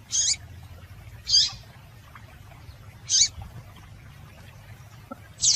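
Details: A female Double-collared seedeater utters high, clipped chips, a call used to prompt males to sing; four notes fall at uneven intervals of one to two seconds over a soft low hum.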